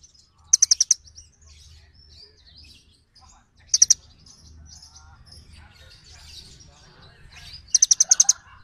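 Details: Little birds calling to each other: three loud bursts of four or five sharp, rapidly repeated high notes about three seconds apart, with faint twitters and soft chirps between them.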